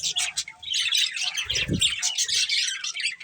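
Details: Colourful budgerigars chirping in busy high chatter of squeaky warbles and trills, with a low thumping knock near the middle.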